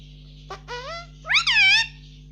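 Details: Talking pet Indian ringneck parakeet: a short, nasal, rising syllable followed by a louder, drawn-out, wavering squeal-like word, high and strongly harmonic, over low steady hum.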